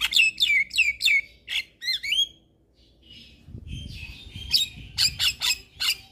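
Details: Energetic Javan myna song with mimicked fill-ins, used to set off other mynas: a quick series of five downslurred squawky whistles, twisting whistled notes, a quieter pause with soft chatter, then loud harsh bursts.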